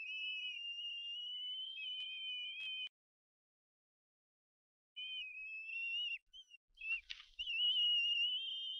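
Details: Bald eaglet food cries on a Harrison Bay nest camera, May 18 2015, as a parent delivers food: sustained high whistling wails in two bursts with a two-second silence between, ending with rustling and overlapping cries.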